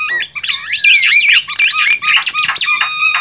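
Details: Dense, busy chatter from Javan myna in the wild, with looping whistled notes that rise and fall and twist over each other almost without a break.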